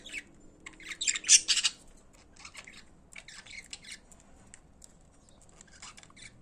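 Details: Pet budgerigars singing: a loud burst of harsh, scratchy squawks and chatter early on, then softer, broken twittering and clicks trailing off through the rest.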